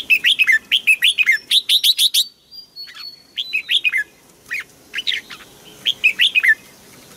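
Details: Songbird in Thailand delivering a fast series of sharp, high chirps, about a dozen in two seconds, then a thin whistled note and scattered chirped phrases with falling inflections, singing clearly against a quiet background.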